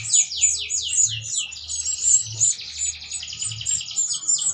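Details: Breeding canary, reportedly mating while feeding its chicks, used as a lure to raise birds' breeding urge: rapid high twittering trills, descending swept notes repeated quickly, then a buzzy rolling trill and sharp chirps, with a soft low hum beneath.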